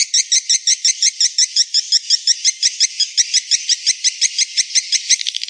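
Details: High clicking swiftlet call used to attract swiftlets, 2021: an even train of sharp chirps, almost three per second, quickening slightly at the end.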